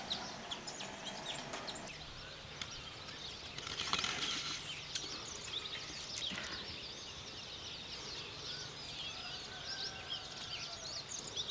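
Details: Weaver birds busy with nest building, giving a constant stream of high, scratchy chirps and twitters, slightly louder in the middle, with a faint drawn-out tonal note near the end and a soft background hum.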